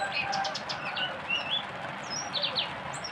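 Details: Oriental white-eye singing its 'tembakan', a fast shooting song phrase: thin high whistled notes and short chirps, some rising and falling, over steady hiss.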